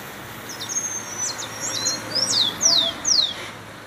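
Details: Rufous-collared sparrow song: faint, thin, high introductory notes, then three louder descending whistled slurs in quick succession.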